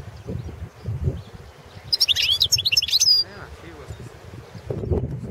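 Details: Entry recording of a Balkan goldfinch, subspecies balcanica, for the 2017 goldfinch song world championship: about a second of fast, high twittering with liquid, rising notes, framed by muffled low background noise before and after.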